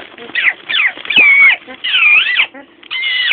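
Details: Pet Amazon parrot, female, imitating sounds such as sirens, brakes, dogs and monsters; a run of loud, sliding whistled and squealing notes with rising and falling swoops, broken by short pauses.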